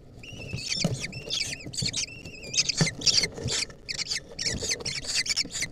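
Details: Lesser kestrel nestlings fighting over a centipede: rapid bursts of harsh, squealing calls with strong harmonic bands, overlapping and repeated almost continuously, mixed with scuffling clicks and rustling.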